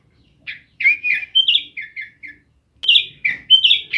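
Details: A pet sooty-headed bulbul in Jember, East Java, sings quick bursts of bright, liquid whistled notes, about eight in the first phrase, then a short pause before a second rich, bubbling phrase.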